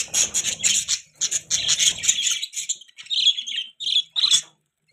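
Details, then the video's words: Pet budgerigars give a rapid pulsed chatter with soft low rustling underneath, then drop to separate bright chirps and fall silent at the close. "Budgies Beautiful Voice | Budgie Chirping Sound"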